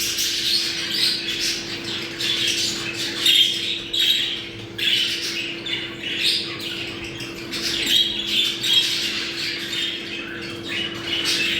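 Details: Breeding-condition sound of budgerigars: a lively flock's nonstop twittering and squawky warbles with occasional sharper chirps, backed by a faint continuous hum.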